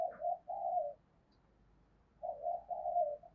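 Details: Spotted dove used as a decoy, cooing daily to provoke and excite other doves, its voice in the 'thổ sấm' style. Two bursts of low, wavering coos separated by about a second of quiet, over a soft background hiss.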